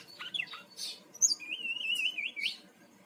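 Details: Lure song of a brown-chested jungle flycatcher from Bali: a few short slurred notes, then a long wavering whistled warble that rises at its end.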